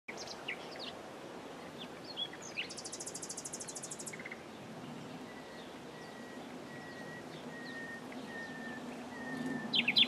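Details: Common nightingale singing: a dense buzzy rattle around the third second, then a thin repeated note held at the same pitch about every half second, all faint over steady background hiss.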